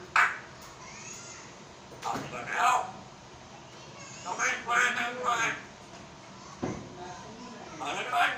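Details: African grey parrot in Pakistan talking in Urdu: several short bursts of speech-like phrases with bright, tonal harmonics, separated by pauses, in a quiet room.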